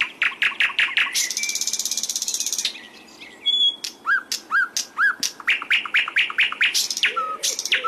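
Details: Masteran training recording of sikatan londo flycatcher song used in Indonesia to teach birds to sing: quick high chirps, then a long harsh rattling buzz, followed by a series of down-slurred whistled notes and more sharp chirps.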